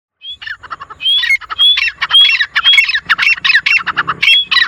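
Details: Wild grey francolins, four birds, known locally as teetar, calling: a rapid series of harsh, squawking notes with thin whistled glides on top, repeated almost twice a second, rising to a dense overlapping chorus after a short solo opening.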